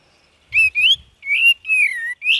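A cream-vented bulbul gives five quick, clear whistled notes, some sliding up and others drooping, over about two seconds. A few soft low thumps come early on.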